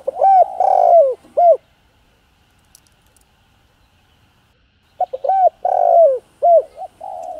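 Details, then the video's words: Spotted dove repeating its cooing phrase to excite other doves: hooked short notes around a long downward-sliding coo, heard twice with a long silent gap between, ending on a steady soft coo. "Tiếng Cu Gáy Giọng Hạp BổI ĐỦ BÀI [ GÁY GỌI,THÚC,GÙ ]Kích Bổi Nhanh Nổi"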